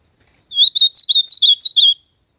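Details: Loud, close song of an ultramarine grosbeak in natural surroundings: a bright sequence of seven or eight slurred, bouncing whistles, evenly spaced over about one and a half seconds, with silence before and after.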